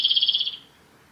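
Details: End of a male Japanese robin's song at Yanagisawa Pass, Japan, 28 April 2019: a fast pulsed trill of around nine high notes that fades out within about half a second, then quiet.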